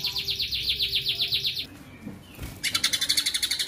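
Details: White-rumped shama tutor recording of a 'tembakan' combination: a run of quick repeated high notes, a short murmur of softer sound, then another fast string of bright, sharp notes.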